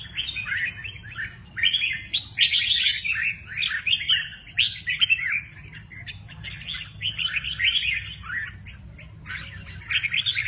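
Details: Red-whiskered bulbul delivering lively mơ ché nẹt song while flicking its wings; fast, liquid warbled notes run almost continuously in jerky rising and falling phrases, with short pauses between bursts.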